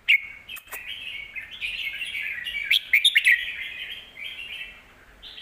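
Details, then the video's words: Red-whiskered bulbul in big-voiced song, intended for teaching young birds: a sharp click, then a long, continuous warbling whistle with several crisp snapping ticks, fading before a final rising phrase. "นกเสียงทอง วางเพลงใต้เสียงโตๆ(ไว้สอนลูกนก)"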